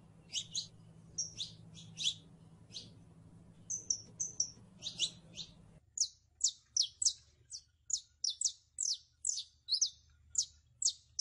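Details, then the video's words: Saffron finch, called canario criollo, in a song comparison with the northern mockingbird: a rapid series of short, high, sharp chirped notes, sparser at first over a low hum, then quicker and evenly repeated about three per second. "CANARIO CRIOLLO (SICALIS FLAVEOLA)"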